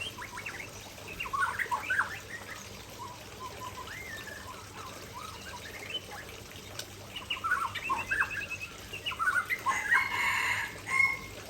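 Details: Aceh white-rumped shama singing near a waterfall, against steady trickling water. Scattered whistled phrases and chirps come first, then grow into a louder, busier burst of rapid notes toward the end.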